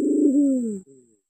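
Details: Green imperial pigeon, recorded to call in wild birds, giving a deep, drawn-out coo that sinks gradually in pitch, followed by a short, fainter low note.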